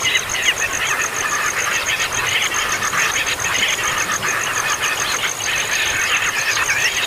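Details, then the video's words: Baby birds that make a racket whether fed or not: a nonstop, shrill chatter of many chicks calling over one another, with a thin, high, rapidly pulsing tone running steadily above. "ANAK BURUNG PALING HEBOH, MAKAN GAK MAKAN TETAP AJA BIKIN KERIBUTAN!"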